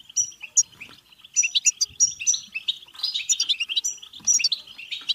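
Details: Batbata-style European goldfinch song meant to push other goldfinches into singing and mating: quick bursts of bright tinkling notes and clear whistled phrases over a steady twitter, with a few brief gaps between phrases.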